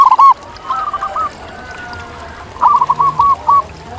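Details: Wild zebra dove in nature: two short bursts of soft, staccato cooing notes near one pitch, a quick run at the start and a longer stuttering phrase later, over a quiet background hiss.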